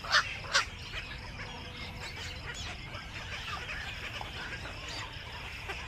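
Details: Black-crowned night heron coming back to its nest in the evening: two loud, harsh barking calls within the first second, followed by a steady murmur of faint, distant bird chatter and background hiss.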